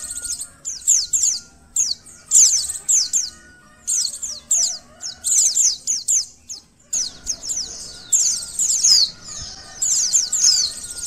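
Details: White-eye song used to test a bird's emotion and arousal: high, thin twittering phrases of rapid descending notes in bursts of about a second, separated by short pauses, with one longer gap near the middle.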